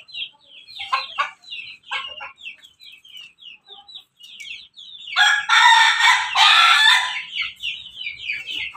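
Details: Morning crow of a crossbred Pelung, Bangkok and Ketawa chicken: one loud, rich, harmonic crow lasting about two seconds midway, set against a constant backdrop of thin, rapid, high chirps and peeps.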